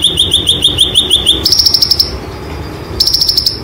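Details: White-eye rolling training song: a quick run of repeated rising high chirps gives way to a very fast, high buzzy trill, which pauses and then comes back, all over a low hum.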